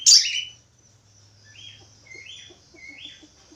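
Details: Budgerigar song: a sharp buzzy squawk opens, then a quiet run of short upswept whistled notes, roughly three chirps spaced about half a second apart, with faint low humming beneath.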